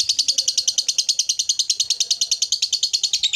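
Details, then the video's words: Lovebird performing the long chattering 'ngekek' prized by Indonesian hobbyists: a fast, unbroken run of harsh high notes, about three per second or more, steady and loud for the whole stretch. "Lovebird Loyo Kembali Semangat Emosi Naik ikut Ngekek Rajin Bunyi"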